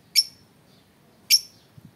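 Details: Two short, piercing high chirps from a lovebird, about one second apart, over near silence.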